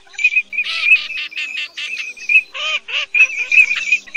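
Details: Cotton pygmy goose male and female giving a rapid series of nasal, cackling notes, some rising and falling, in quick bursts with short gaps; a call used as a lure for night net-trapping in the August 2024 migration season.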